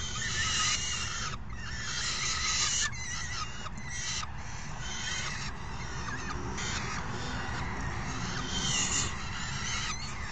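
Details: Hungry falcon young calling noisily as they are fed at the nest, 3 June 2018, after one parent delivers food and the other hands it out; harsh, grating screams in uneven bursts separated by short silences, with a continuous low rumble beneath.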